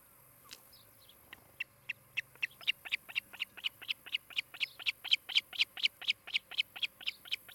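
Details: Osprey calling at its nest in Charlo, Montana, on a nest camera, afternoon of 16 July 2018: high, piercing chirps begin sparse, then quicken and grow louder into a rapid, even run of about three notes per second.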